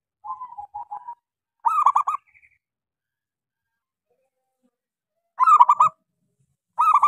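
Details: Local zebra dove with a small voice in full song, meant to prompt silent doves to sing: a soft, level string of coos, then loud, stuttering, rolling coo bursts returning every few seconds.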